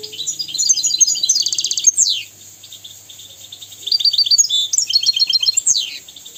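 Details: Tutor song of a European goldfinch for schooling young goldfinches and canaries. Two long phrases of high, rapid twittering with a fast rattling trill and sweeping downslurred notes, broken by a short quiet gap.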